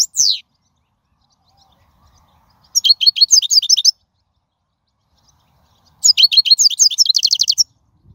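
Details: Wild European goldfinch, song for teaching fledglings: a falling whistle, then two separate bursts of fast, high twittering about three seconds apart, each ending in a quick trill, with quiet gaps between.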